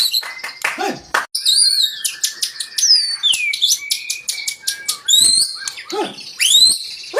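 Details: Loud white-rumped shama song used as a lure to excite other birds into singing. Rich, varied whistles sweep up and down, mixed with rapid scratchy chatter and clicking bursts throughout.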